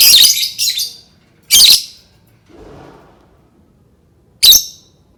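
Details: Lovebird voice meant to prompt other lovebirds to sing: three short, harsh squawks spaced well apart, with a faint low murmur between them.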